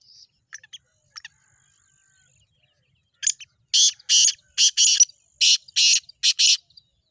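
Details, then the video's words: Black francolin, known locally as chakri wali tettar: a few faint clicks, then a loud series of seven rasping, broadband bursts in fairly even succession, with a faint high whine behind. "black partridges chakri wali tettar"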